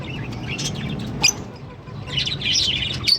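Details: Green Fischer's lovebird pair singing and chirping: busy high-pitched chatter with a sharp squawk midway, then more scratchy twittering, over a low steady hum.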